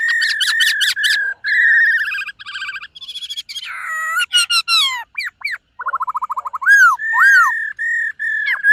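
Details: Silver-eared laughingthrush in morning song and voice training, also dancing: dense, varied phrases of loud whistles, rapid pulsed trills and chattering notes, with upward-arched slurred whistles and sustained tones toward the end.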